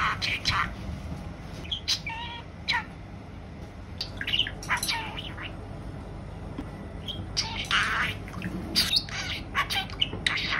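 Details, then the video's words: Pet female budgerigar chattering at length: dense bursts of scratchy, buzzy chirps and clicks in irregular clusters, louder toward the end, with a quiet pause midway and some human speech in the room. "セキセイインコ メスのおしゃべり！ 女子インコでもおしゃべりします"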